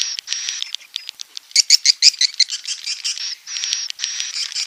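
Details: A swiftlet gives steady thin high whistles, then a fast series of loud sharp chirps, then returns to sustained level whistles.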